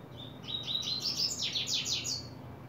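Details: Double-collared seedeater opening its song in July 2024: a loud, high twittering phrase of quick warbled notes that grows into a run of rapid, buzzy descending strokes, about two seconds long, over a low steady background hum.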